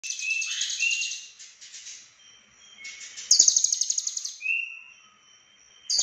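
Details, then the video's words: Lovebird from Cililin singing in the konslet style with full isian fill-ins: dense, rapid chattering trills, high and buzzy, broken by short lower whistled notes, with a loud rattling burst midway and a thin steady high tone behind. "Lovebird Konslet Full Isian"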